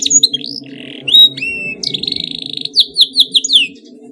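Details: Fired-up canary giving a close rolling song to draw other canaries into singing: sweeping whistles, a short buzzy burst, a quick pulsed trill, then five loud falling slurs about a fifth of a second apart, over a low droning hum.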